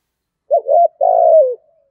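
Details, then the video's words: One full phrase from a spotted dove singing in the thổ voice style: a wavering double note, then a longer, steady, slightly buzzy coo that slides downward at the end. "cu gáy giọng thổ thúc gù + gáy gọi đủ bài"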